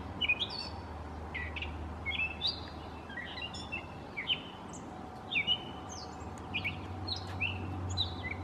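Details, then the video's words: A Gray Catbird in a backyard sings like a Mockingbird, a rambling jumble of short squeaky, scratchy and whistled phrases, each one different, over a steady low hum. "Gray Catbird Song"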